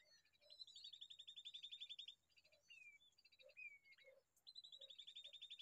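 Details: Baby bulbul: long runs of rapid, high, pulsing chirps at a steady pace, with short downslurred whistles in the pauses before the run starts again.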